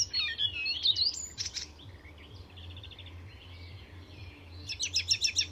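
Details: Mimicking Icterine Warbler singing at Fysingen reserve, Sweden: squeaky whistled slurs open the phrase, followed by a short buzzy trill and a closing series of rapid, evenly repeated sharp chirps, with a low background hum.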